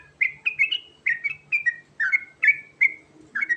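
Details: Sooty-headed bulbul called trucukan garuda, in rolling 'ngerol' song to provoke replies: lively clusters of liquid, slurred whistles, some paired, others drawn out and level, in a quick, uneven rhythm.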